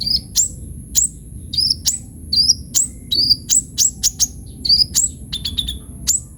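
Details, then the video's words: Sunbird singing energetically with full varied fills, for luring and tutoring other birds; crisp high chirps and rising whistled notes at an irregular, quick pace, with a faint constant high hum. "KOLIBRI NINJA GACOR FULL ISIAN"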